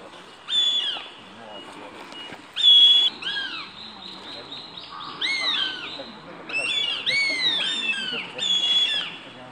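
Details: Fledgling northern goshawks, the second-born and youngest of a brood, fight over a pigeon while feeding on a path in July 2019. They give shrill, squealing, downward-slurring calls in bursts every second or two, sometimes overlapping.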